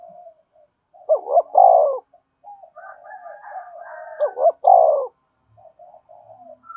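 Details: Spotted dove cooing used to attract wild doves: two loud phrases about three seconds apart, each a stuttered pair of deep coos, linked by quieter warbling coos with a faint higher overtone.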